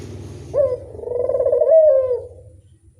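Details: Barbary dove lure call: a loud, drawn-out coo that opens with a sharp upward-flicking note, then swells into a long, slightly wavering tone for about two seconds before fading, over a faint low hum.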